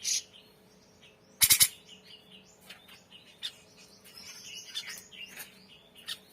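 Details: Grey-cheeked bulbul in a masteran tutor recording described as full of varied notes and singing actively: a short, loud, harsh triple burst, then scattered high chirps and fluttering chatter over a low steady hum.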